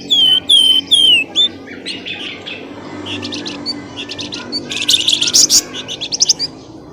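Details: Bird lure sound to bring birds out of dense bushes: loud, high whistles sliding downward, repeated quickly, then softer scattered chirps building to a dense, shrill burst of chattering notes.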